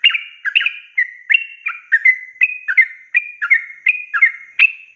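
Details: Yellow-vented bulbul (trucukan) singing a long rolling ropel song, used as a tutor for raw, young birds: bright chirpy two-part notes, rising then falling, repeated at a brisk pace for five seconds over a quiet background.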